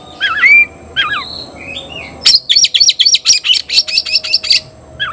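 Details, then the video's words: White-rumped shama kept in a cage calling an opponent to fight, opening with wavering looping whistles, then switching to a fast run of harsh, rhythmic chattering notes. "Teriakan KACER panggil lawan tarung"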